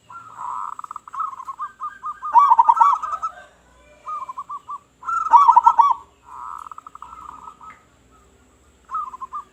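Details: Lively local zebra dove with a loud voice, used to attract other zebra doves: a run of rapid bouncing coo notes, two loud stuttering bursts, a purring pulsed trill, and a final short rolling phrase.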